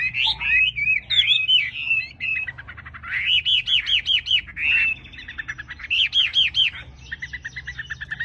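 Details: Energetic wambi song: warbled whistles broken by quick, rhythmic trains of arched chirps, then a fast stutter of even notes near the end, over a faint low hum.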